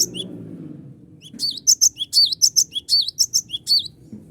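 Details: Cinereous tit in full song, used as a lure to call rivals into singing: after a quiet start, a fast run of high, sharp chirps mixed with curling, downslurred notes, about ten notes in under three seconds, over a faint low hum.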